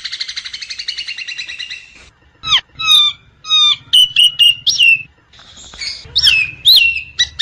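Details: A Nias hill myna in the wild opens with two seconds of fast, rattling chatter, then gives loud, clear whistles and sharp, squeaky notes in quick bursts over a faint low hum.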